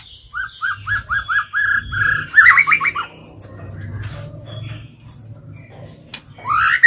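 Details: White-rumped shama trained as a lure bird, singing to call and challenge other birds: a run of about eight repeated rising whistled notes, a rapid tumbling burst, then quiet until a high upward sweep.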